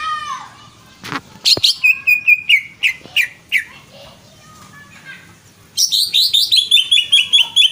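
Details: Greater green leafbird giving sharp separate whistles and clicking notes with short gaps. Near the end it breaks into a fast, loud trill of repeated high notes.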